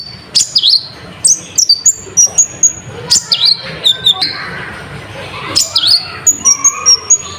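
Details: Sunbird (konin) in full song, played to stir other birds: bursts of sharp high chips, downslurred squeaks and thin level whistles, tumbling quickly together, with background hubbub beneath.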